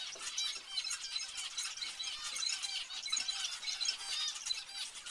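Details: Busy chattering of zebra finches, short nasal squeaks tumbling over each other in a constant stream.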